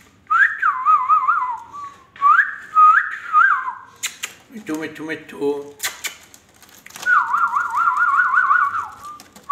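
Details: Pet Indian ringneck parakeet, a talking bird, whistling wavering trilled phrases that rise and fall rapidly, repeated in three bursts, with a short low murmured stretch and a few clicks between them.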